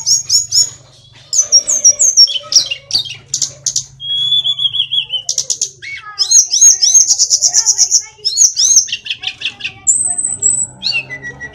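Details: Tledekan, also called sulingan gunung, an Indonesian flycatcher-family songbird in vigorous song: rapid high chirps, a descending trill, long buzzy rattles and a sustained high whistle near the end.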